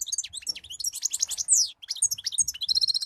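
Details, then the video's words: European goldfinch singing fast, liquid twitters and sharp descending chirps, then a short buzzy trill near the end; light low rumble underneath. "أحلى صوت مقنين"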